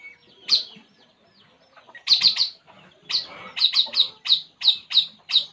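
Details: Puling bird calling while relaxing: sharp, high chirps, single at first and then in quick clusters of two or three, with short pauses between bursts and a quiet background.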